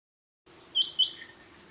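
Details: Rain quail, known locally as bulara or chinghi batair, giving one sharp high double note, two quick clipped whistles about a quarter second apart, over a faint steady low hum.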